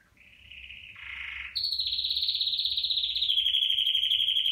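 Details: A red factor canary (Serinus canaria) sings bright, high whistled phrases for teaching chicks to sing, then a long rolling trill at about four notes per second, over a faint low hum.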